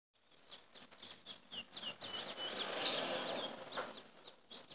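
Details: A chestnut-bellied seed finch singing in Chaguanas, Trinidad, in 2017 gives quick, sweet whistled notes and slurs, several per second, over a steady rustling, fluttering noise.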